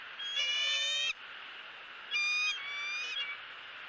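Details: Female bald eagle at a nest in Southwest Florida screaming as she greets the male arriving with a headless fish: two bouts of high, harmonic, slightly rasping squeals, each under a second; steady background hiss.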